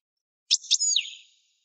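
A young European goldfinch gives a brief, bright phrase: two quick buzzy chips, then a high slurred note sliding downward. Nothing else is heard.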